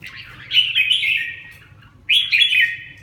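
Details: Two loud, fluty warbled phrases from a caged red-whiskered bulbul in Vietnam, the first longer and trailing off, the second starting abruptly after a short silence; low background hum.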